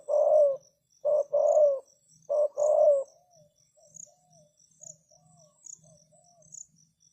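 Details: Spotted dove used as a decoy, calling to lure wild doves: two paired hoarse coo phrases, each a short note then a longer falling coo, in the first three seconds, then soft faint notes, with steady high insect ticking behind.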